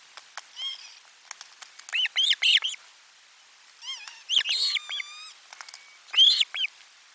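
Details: Osprey at its nest, filmed by live nest camera on 12 July 2022 during a lunchtime fish delivery: bursts of sharp, arched whistled chirps in quick pairs and triplets, with a few drawn-out, steady harmonic tones between them.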